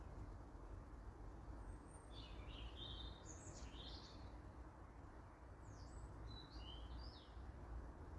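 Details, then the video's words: Eurasian blue tit juvenile producing two bursts of thin, high, rapidly slurred chirping notes separated by a quiet pause, over continuous low background rumble. "Juvenile blue tit"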